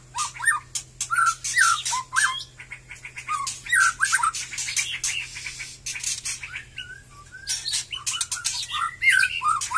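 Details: Batu Kurau strain white-rumped shama, singing again after its moult. Short melodious whistles and rolling slurred notes are interspersed with rapid dry clicks and scratchy chatter.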